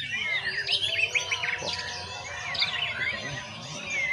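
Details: White-rumped shama kept in a cage and sunbathed to open its voice and show its mimicked phrases. It pours out rapid, high twittering and short whistled slurs without pause.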